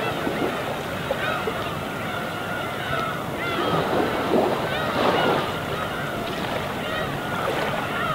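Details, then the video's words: Flock of gulls flying together above the East Sea in winter; many overlapping nasal, arched cries, several per second, rising and falling over constant rushing waves. "갈매기와 잔잔한 파도소리"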